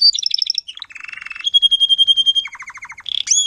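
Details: Adult Timbrado canary singing to young canaries, 2021: quick repeated chirps, a low buzzy trill, a long pure whistled note about a second long, then a fast series of repeated descending notes.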